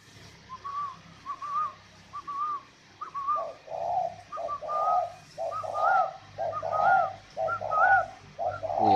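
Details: Captive spotted doves at a breeding bird garden in northern Vietnam, Ba Vì district, Hanoi: repeated cooing phrases, brief higher notes leading into fuller rounded coos, roughly once a second, with faint room hum.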